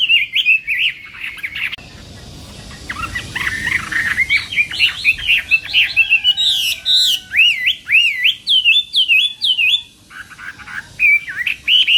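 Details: Chinese hwamei in morning song practice for singing contests, delivering rich varied whistles after a short pause near two seconds, then fast repeated rising and falling slurred notes, some very high, ending in a brief gap and renewed phrases.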